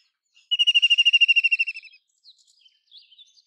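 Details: White-throated kingfisher calling with a rapid, ringing rattle of around twenty clipped notes that slow and soften near the end, followed by a few faint high chirps from other birds.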